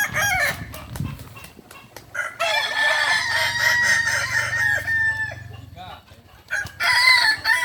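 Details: At a kukuak balenggek chicken contest final in Ampang Kualo, Kota Solok, 8 September 2024, roosters give long, tremulous crows broken into rapid stuttering syllables, with overlapping birds, a brief lull, then a final bright crow.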